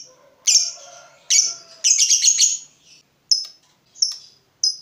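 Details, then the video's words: Fighter lovebird, agitated on seeing a rival, giving harsh high chattering bursts with a sharp shrill edge, in several outbursts separated by short pauses, ending with clipped single chirps. "Terpancing Emosi Begitu Lihat Lawan, Lovebird Fighter ini Langsung Narung"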